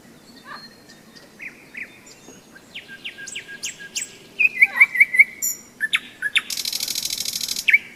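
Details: May nightingale song by the Seversky Donets, recorded while hikers rested in storm season: soft sliding whistles, then a quick string of identical bright notes and a dense harsh rattle before one clear closing note.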